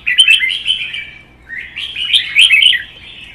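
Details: Red-whiskered bulbuls kept in cages sing against each other, one being a wild-caught adult held for one season. Two energetic warbled phrases, each a tumble of bright chirps and slurred whistles, separated by a short gap.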